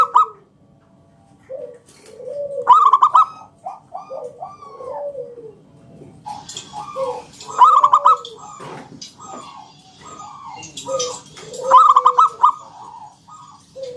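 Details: Local Indonesian zebra dove singing in the 'ngalun kung bulat' style, used as a lure to prompt other doves to sing: three loud bursts of rapid pulsed coos, about four seconds apart, over softer descending coos from other doves.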